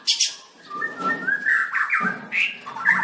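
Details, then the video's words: White-rumped shama at a 7/25/16 singing contest, dancing and singing: a short passage of lower, smoother whistled notes that glide up and down, opening with a sharp high chirp. "Birds White-rumped shama dancing and singing like crazy till chirped sorethroat"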